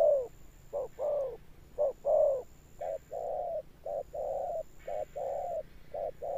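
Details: Spotted dove giving deep 'thunder-tone' coos with a persistent end. Loud, low, hollow notes start the sequence, then softer short-and-long coos follow in an uneven rhythm.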